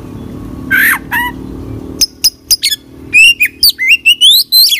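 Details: Magpie-robin song opening with two harsh squawky notes, then sharp clicks and a rapid string of bright up-and-down whistled phrases, over a low steady hum.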